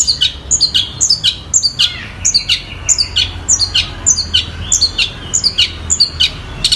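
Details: Long-tailed shrike imitating a tree sparrow and a tiger shrike: paired high chirps repeated steadily about twice per second, each pair a sharp note followed by a lower one.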